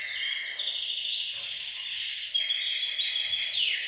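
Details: Caged canaries singing together in a bird room, a group chorus meant to stimulate males to sing and ready females for breeding; long, bright rolling trills layered at high pitch, with one sharper, louder trill entering midway.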